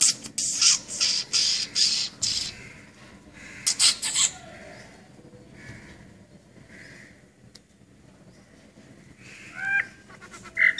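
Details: Brahminy starling producing rapid scratchy, buzzy chattering bursts at the start, a quieter middle with soft notes, and clipped harmonic squeaks near the end.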